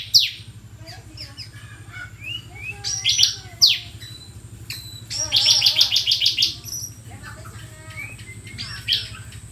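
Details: Energetic bar-winged prinia song mixing sharp descending chips, short slurred notes and a rapid trill, with a steady low hum throughout.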